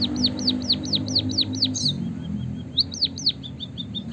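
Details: Chirping white-headed munia, used to stimulate singing in kept birds: about eight regular down-slurred high notes, a brief high squeak and quieter notes, then more falling chirps over faint low background noise.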